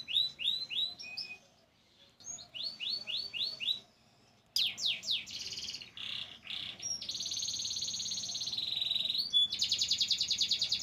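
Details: A white crested canary sings a varied song of repeated rising whistled notes, short pauses, sweeping buzzy syllables and long rapid trills at several pitches.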